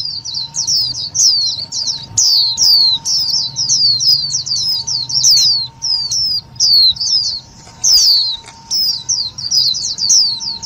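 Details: Indian white-eye lure call, loud and clear, for trapping and stirring other white-eyes: almost continuous rapid chatter of high, thin, downslurred chirps in bursts, steady background hum throughout.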